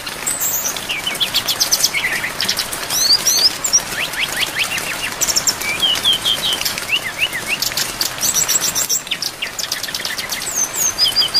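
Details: Brown-chested jungle flycatcher, tutor recording for training cage birds, singing a fast, busy run of high whistles, slurred chirps and trills, with a steady hiss of rain throughout.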